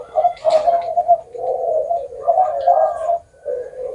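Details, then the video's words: Cooing spotted dove singing in a style with a long ending of nine to ten notes or more: soft, low, rolling coos blend into a continuous phrase, then one brief gap and a final coo. "Cu gáy hậu 9 10 trở lên"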